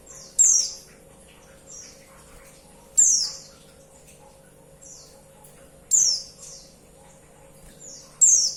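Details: A female white-eye calls the male with four piercing, rapidly falling high notes at intervals of about two and a half seconds, with softer echoing notes in between.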